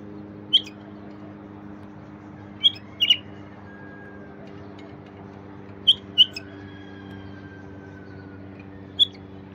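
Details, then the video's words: Wild bulbul song for stirring silent bulbuls to sing: short, sharp, bright notes given singly or in quick pairs every two to three seconds, over a steady low electrical hum. "تغريد لفتح البلابل الوحشية الساكتة"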